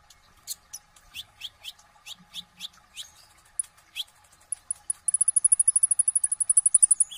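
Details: Olive-backed sunbird (kolibri ninja) kept by a bird hobbyist in Indonesia, singing vigorously with full fill-in phrases and rapid bursts: a run of sharp descending high notes, then a fast, very high, even trill lasting about two seconds.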